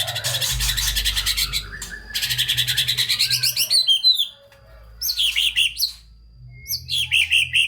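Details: White-rumped shama singing hard with full fill-ins, used to spark song in lazy, unexcited shamas: long rapid chattering rattles, then short groups of sharp twittering notes with pauses.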